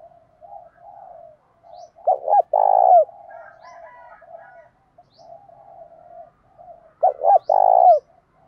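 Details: Spotted dove giving its fight-provoking call in the thổ voice, loud and clear: low murmuring coos between two strong phrases, each two clipped notes ending in a long, rich, falling coo.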